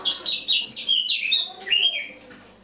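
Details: Autumn song of a Eurasian blackcap, morning of 1 October 2017: a brief run of bright, high warbled notes sliding downward, then a clear rising-falling whistle that fades out.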